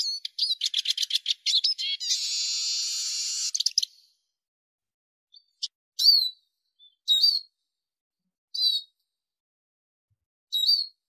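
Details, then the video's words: Arabian babbler, recorded for training and hunting: a fast burst of clipped chattering notes runs into a harsh buzzy rattle. After that come a few separate sharp upslurred calls spaced well apart with silence between. "صوت نعير عصفور النعار"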